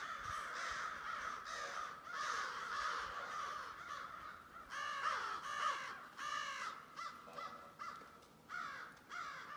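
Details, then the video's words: Thousands of crows massed together, their rough cawing rising and falling in uneven bursts, individual harsh calls breaking out above a constant noisy chorus. "Thousands of Crows Weird noise in the background of them."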